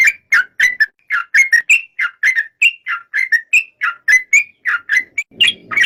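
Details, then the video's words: Repeated short, slurred whistles from a yellow-vented bulbul, evenly spaced about three per second, with a rougher, noisier call near the end. "Suara kicau burung trucuk"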